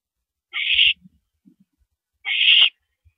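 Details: Owl at a nest during a mouse delivery, 9:17 PM on 13 April 2012: two harsh, hissing screeches, each about half a second long, spaced well apart, with faint low knocks and shuffles in between.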